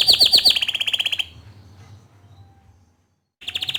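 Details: Bottle-green canary, a singer used to train young canaries, gives a brief fast trill of sharp repeated notes that fades into near silence before a short trill resumes at the end.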